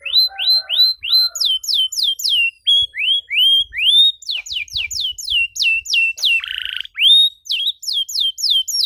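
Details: Singing canary, a recording meant for young canaries learning to sing: series of rising whistled sweeps repeated in quick succession, shifting between pitches, with a short harsh buzzy burst near the end before the sweeps return.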